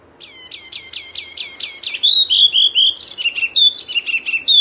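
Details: Wambi mini Oriental white-eye singing fiercely as a tutor recording for songbirds: starts with a row of descending, clear whistled notes, then breaks into a fast, twittering warble of high chirps.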